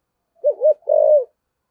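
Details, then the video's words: Decoy spotted dove cooing in the 'giọng thổ' style. Two short, bouncing notes run straight into a sustained, slightly descending coo in a quiet setting. "Chim Cu Mồi, cu gay giong tho cuc dinh"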